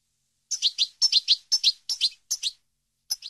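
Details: European goldfinch song meant to teach captive birds: sharp, high paired chirps in quick clusters, about two per second, each note dropping slightly in pitch, separated by brief silences, in a clean recording without background noise.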